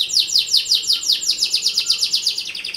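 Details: Canary song used to coach other canaries, a steady rapid series of bright downward-slurred chirps, about five per second.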